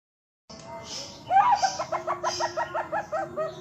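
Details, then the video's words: Zebra dove (Bangkok perkutut) with an unusual voice, either singing or "laughing": a rapid run of soft bubbling notes, about six per second, after a brief hoarse opening, with faint hiss underneath. "PERKUTUT BANGKOK SUARA ANEH manggung atau ketawa?"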